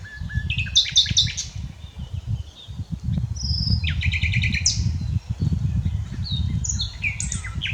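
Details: Common nightingale singing, unedited recording: varied high phrases with short whistles, rapid repeated notes and a loud slurred descending note. Steady low rumbling noise runs underneath.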